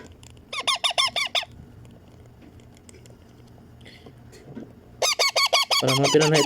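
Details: Hand-fed baby Indian ringneck parakeet begging: a string of about eight fast, nasal, arched squawks, a pause with faint clicks, then another rapid harsh series growing louder and mixed with a lower voice.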